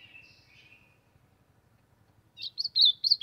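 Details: An ultramarine grosbeak in the sertão sings to warm up, giving a quick run of four or five bright, slurred whistled notes after a faint thin whistle near the start, over a low hum.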